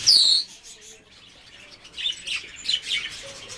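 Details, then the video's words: Blue whistling thrush giving one loud, shrill, downward-sliding screech, followed by softer scattered high chirps and twitters from other birds. "Синяя птица (лат. Myophonus caeruleus)."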